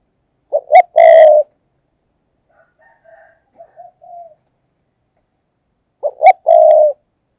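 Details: Decoy spotted dove used in a tree to draw in wild doves, calling fast: a short note then a loud drawn-out mellow coo, soft quiet cooing in the middle, and the same loud phrase repeated about five seconds later.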